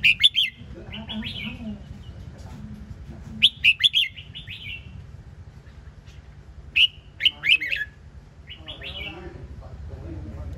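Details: Red-whiskered bulbul repeating its lively warbled phrase about every three seconds, loud sharp notes trailing into softer rising whistles, with quiet low background hum throughout.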